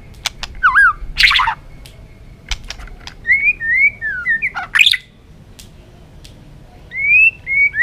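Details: White-rumped shama in a varied forest-style song: a looping whistle, harsh bursts and clicks, then a sequence of short rising and falling whistles after a brief pause.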